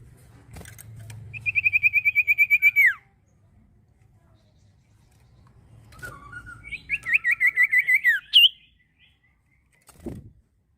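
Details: Common iora gives a fast trill of about a dozen even whistled notes ending in a downward slide. After a pause comes a lower short phrase, then another rising trilled series, with soft low rumbling and a knock near the end.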